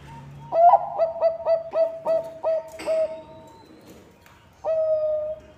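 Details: Zebra dove of the Bangkok type in full song, played as a lure to set other birds singing: six rhythmic, bell-like cooing notes ending in a drawn-out coo, a pause, then one more sustained note.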